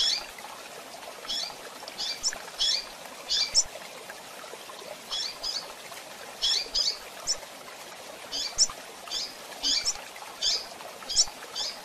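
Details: Female double-collared seedeater calling and chirping, kept for bird management and training: short, high, sharp chirps given singly or in quick pairs and triplets at irregular intervals over a faint hiss.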